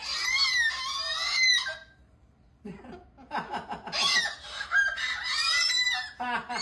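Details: Cockatoo vocalizing in harsh, raspy bursts with wavering tonal streaks, a short pause, then a series of rapid clipped squawks and more scratchy screeches; human speech nearby.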